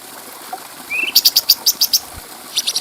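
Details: Stripe-throated bulbul (cucak cungkok) training song with clear voice for tutoring other birds: a brief rising whistled slur, then a rapid series of sharp high ticking notes, more ticks ending the phrase.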